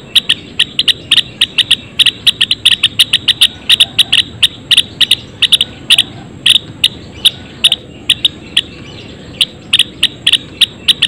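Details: Caged Java sparrows (Padda oryzivora) in a colony enclosure chirp busily: crisp, short ticking notes tumble out in uneven bursts, roughly forty over eleven seconds, above a thin constant high-pitched hum and soft background rumble.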